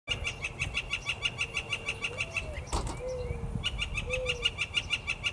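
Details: Northern Flicker of the yellow-shafted form calling: a fast, even run of sharp, bright notes, about six a second, with a brief break midway; faint low whistles underneath.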